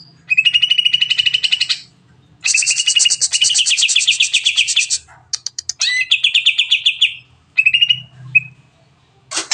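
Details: Long 'nembak' song of a greater green leafbird, used to get other birds singing quickly: extended rapid high trills, a dense buzzy passage, clicking runs and a short whistle, phrases split by brief silences.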